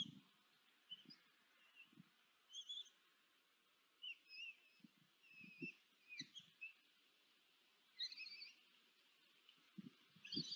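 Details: Common kestrel chicks, four young fed by the female at a nest in Tiszanagyfalu, Hungary, on 14 July 2023, caught by a nest camera; thin, high wavering whines come in short scattered bursts, with soft low thumps and shuffling in the nest.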